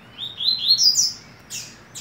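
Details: A double-collared seedeater, the coleiro, singing at the season's last ACPB tournament in 2018: a fast chain of rising whistled notes climbing to a bright high peak, followed by short noisy bursts.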